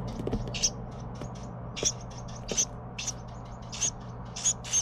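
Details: Carolina wren youngster fed by its parents calls in short, sharp, hissing high bursts repeated about every half second to second, over a constant low hum.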